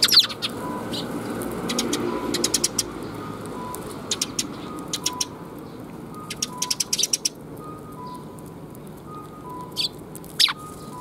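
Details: Sparrows coming for food at Mizukami Bridge, 26 June 2021: scattered bursts of sharp chirps between quiet stretches, grouped runs around the middle, over a faint low background hum.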